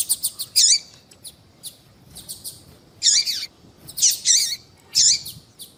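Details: Female yellow-bellied seedeater calling, a call bred birds use to excite males: soft quick chips, then three loud buzzy high notes, each with a descending tail, spaced about a second apart, over faint background hiss.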